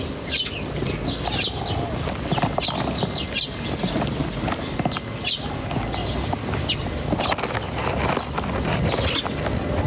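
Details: Natural birdsong scene with sharp high chirps repeated every second or so, set against a loud, broad rumbling background.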